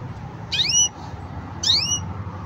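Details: Two bright upward-sweeping whistles from a green canary, spaced about a second apart, over low steady background noise.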